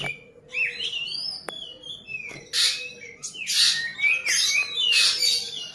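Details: Ashy drongo, a young bird copying common iora song, giving slurred whistles and twisting chirps, broken by loud harsh rustling bursts and clicks in the second half.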